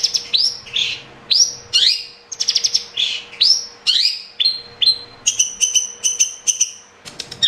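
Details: Song of a caged long-tailed shrike, played to coax a reluctant bird into singing: varied rapid phrases of upslurred whistles, harsh rasping notes and squeaky chips, about two per second, later steady high double-toned notes in a quick even series.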